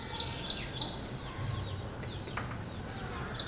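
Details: Ashy prinia song: three high, thin zeet notes spaced about a third of a second apart, then a gap and one more note, with faint outdoor background noise.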